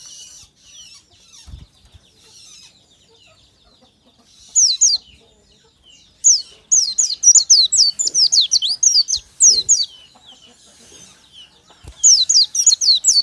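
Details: Natural morning lure song of an Oriental white-eye: bursts of fast, high-pitched twittering with sharp downward-slurred whistles, separated by quieter spells with a few soft knocks.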